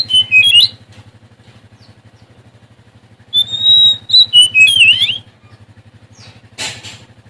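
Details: An Oriental magpie-robin of Sumatran stock sings to challenge a rival. Sharp whistled phrases of slurred, rising and falling notes come in bursts over a steady low engine-like drone, ending with a harsh rasping note.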